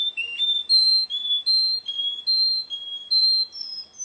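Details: Russian canary at a contest whistling a steady series of clear notes, each about half a second long, alternating slightly in pitch and rising at the end.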